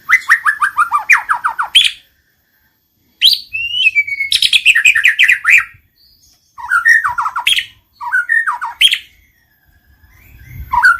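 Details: White-rumped shama song meant to provoke singing and mating: fast descending trills and chattering phrases in separate bursts, each roughly two seconds, divided by silent gaps.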